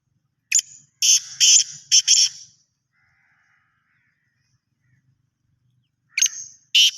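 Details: Harsh, grating call of a black francolin. It is a phrase of four or five rasping buzzy notes, followed by a pause and the start of another phrase.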